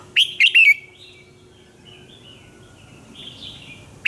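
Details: Morning song of a red-whiskered bulbul in the fiery training style, recorded as lure-bird sound: three clear, quick whistled notes at the start, a faint murmur of warbling, then a sharp note cut short at the close.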